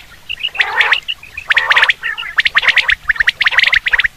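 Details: Common quail sound for hunting, with rasping, gargled bursts followed by rapid runs of sharp, clipped notes in groups of two and three, loud and busy.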